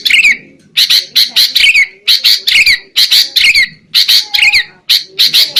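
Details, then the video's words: Noisy sooty-headed bulbul lure recording for trapping: steady, loud, grating notes in close pairs and triplets with falling slurred endings, a faint whistle-like tone and low background rumble underneath. "SUARA PIKAT BURUNG KUTILANG"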